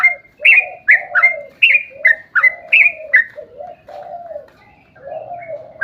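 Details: Yellow-vented bulbul singing a long ropel panjang phrase, a recording to make other bulbuls sing: fast, slightly rising chirps over soft low warbles, easing into sparser notes near the end.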